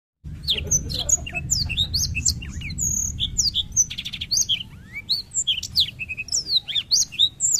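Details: Black-throated canary in lively, nonstop 'gacor ngerol' singing: a rapid run of high twittering notes, sharp slurred chirps and brief trills, with a steady low rumble underneath.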